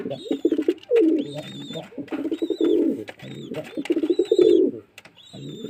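A pigeon gives low, throaty, rolling coos in rapid bursts, about five in a few seconds, with faint high squeaky whistles above them.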